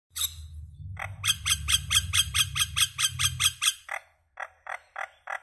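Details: Common myna singing: a low, rough gurgling rumble under a fast run of about a dozen sharp, harsh repeated notes, then a brief pause and several more spaced, clipped calls.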